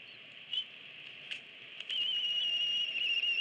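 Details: Eagle nest camera, 24 April 2017: both parents feed two eaglets aged 26 and 25 days, mother finishing. A few faint short notes give way to a long steady high whistle held for over a second, wavering slightly.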